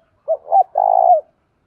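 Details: Single call from a spotted dove used to lure wild birds, a soft three-part coo made of two short notes and a longer, even final note, clear against a silent background.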